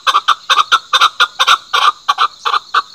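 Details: Loud, close Chukar uttering rapid, harsh chuck-chuck-chukar phrases in quick succession. The notes are rich and cackling, set against a faint high background hiss.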